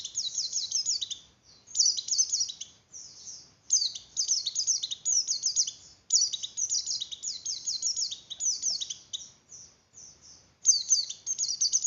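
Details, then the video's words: White-eye (pleci) arousal song in the 'ngeleper' style for stimulating breeding in other white-eyes: repeated bursts of rapid, shrill, downward-slurred twitters lasting one to two seconds, separated by brief pauses, in a quiet setting. "Suara Pleci Oper birahi Cocok Untuk Menaikan Birahi Pleci"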